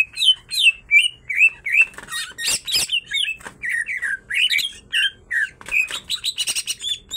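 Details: Two greater green leafbirds, a pair in top singing form, give loud, varied whistles and chattering notes rising and falling between mid and high pitch, with sharp buzzy bursts mixed in.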